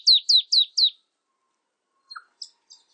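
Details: Marsh tit giving four quick, high, downslurred whistled notes in a rapid run, followed after a pause by a few faint, scattered short chips.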